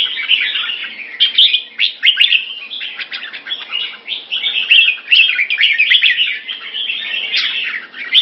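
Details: Singapore, 4 June 2017. A molting Red-whiskered bulbul kept by its owner gives a lively, chattering warble of quick chirps and fluty notes, rising and falling in bursts about every second.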